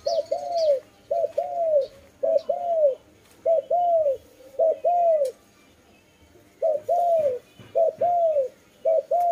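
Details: Dove giving repeated two-part coos, a brief note then a drawn-out rounded coo, in runs of several pairs with a short pause midway; faint high chirp at the start.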